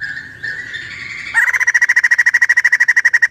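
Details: Screaming female white-crested laughingthrush: a steady whistled tone gives way to a harsh, fast, evenly pulsed rattle that continues to the end.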